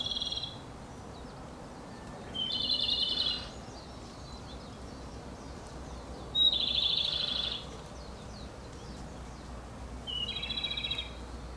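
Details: Song of the Japanese robin, counted among Japan's three celebrated songbirds: four bright, fast, level rattling trills, each roughly a second long, spaced several seconds apart, against soft outdoor noise.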